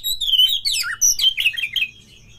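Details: Oriental magpie-robin (Copsychus saularis) fighting song, used to provoke aggression and singing in other magpie-robins: a rapid, varied run of sweet whistles and sharp chirps sliding up and down in pitch, with a faint low hum beneath.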